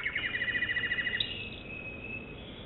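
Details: American Singer canary song, softer here: a quick series of chirped notes slides into a thin, fading trill, with faint background hiss.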